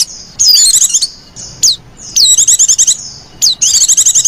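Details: High, thin whistles dropping in pitch, each running into fast buzzy trills: the pampered-sounding call of a female white-eye, played to draw in other white-eyes. Bursts recur irregularly with brief silences between them.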